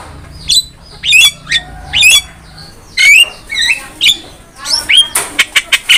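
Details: Javan myna in full singing form, from a master recording for training songbirds: a lively run of sharp, squeaky notes, rising whistles and harsh chatter roughly once a second, ending in a fast burst of clicks.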